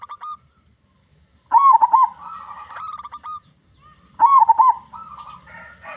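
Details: Local zebra dove with a strong voice, used to lure other doves into song. Two bursts of undulating cooing, each followed by a longer, even trilled coo, with brief pauses between.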